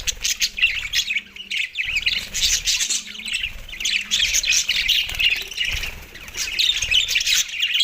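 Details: Several Australian budgies eating soft food on 4 December 2023 produce rapid, restless high chirps and warbles, about three per second, irregular, over a faint hum.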